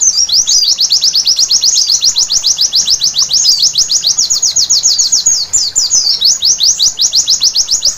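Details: White-eye song recorded at night: an energetic, continuous stream of shrill downward-slurred notes, very fast and nearly regular, with occasional twittery variations, and a clean, quiet background.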